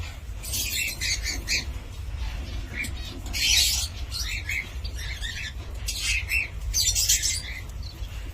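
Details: Cockatiel giving harsh, broadband screeching squawks in short bursts separated by brief pauses, with steady low background hum throughout.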